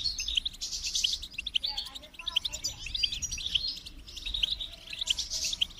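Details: Goldfinch singing a fast, jumbled stream of high chirps and liquid twitters. Brighter bursts come around the start and end, over a faint low background hum.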